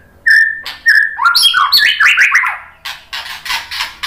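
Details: White-rumped shama (murai batu) song played to make other birds answer and sing: clear whistled notes, then a rapid cascade of varied slurred whistles stepping up and down, ending in buzzy scratchy phrases.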